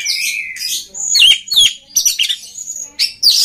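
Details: Oriental magpie-robin song used to train and stimulate other magpie-robins: a long steady whistle, then varied rich whistled phrases with sharp slurred notes and brief pauses, high and clear.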